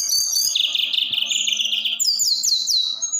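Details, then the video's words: High, dense 'roll tembak' song of a snowy-browed flycatcher, meant to provoke other birds to sing: a fast rattling roll on one pitch, then quick descending whistled notes repeated in series, with faint low taps. "tledekan gunung roll tembak... bikin emosi Burung anda naik."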